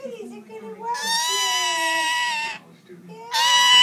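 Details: Indian ringneck parakeet giving long, steady, harsh, nasal notes of about one and a half seconds, with a shorter burst at the end and soft human talk in the gaps.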